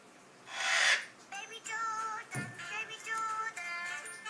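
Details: A newly acquired young Eclectus parrot pair (Eclectus roratus) gives a loud, harsh half-second scream, reacting as they do to every whistling sound, while a tuneful whistled song from a TV plays on.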